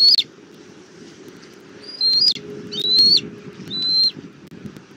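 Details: Bald eagle family meeting on the nest tree in Southwest Florida, filmed by a nest cam on April 19, 2024 at 17:06. Four high, thin whistled notes, each slightly rising then falling, spaced about a second apart over a low steady rumble.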